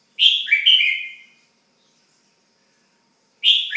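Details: Red-whiskered bulbul, a pet, delivering a bright chirpy whistled phrase, then silence, then the start of another phrase.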